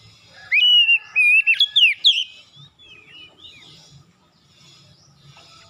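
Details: Oriental magpie-robin in loud morning song: a quick run of whistled and slurred notes lasting about a second and a half, then softer, scattered warbles.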